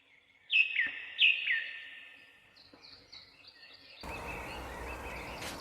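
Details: Bird chirping: two bright, sharp downslurred chirps near the start, then softer high twitters; a broad hiss of noise takes over for the final second and a half.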